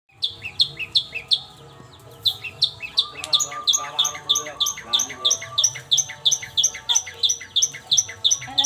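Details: Long-tailed shrike singing in the evening, a lure recording to prompt other birds: rapid, sharp, scratchy chirps repeated about three per second, high and bright, with a steady low tonal hum underneath.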